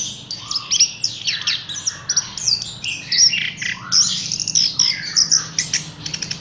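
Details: Horsfield's bush lark in captivity pouring out a dense, high song of chirps, buzzes and sharp notes, ending in a rapid stuttering burst.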